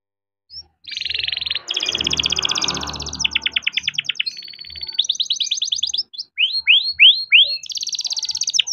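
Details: Young captive-bred canary singing nonstop with rolling 'ngerol' song, used to coax lazy canaries into singing: rapid trilled tours, buzzy and metallic, shifting between fast rattling rolls and sweeping upslurred whistles, with a brief rustle early on.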